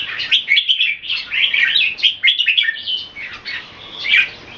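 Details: Caged Red-whiskered bulbul in Singapore during a display face-off with another bird: continuous lively warbling and chattering, with tumbling notes overlapping almost without a break.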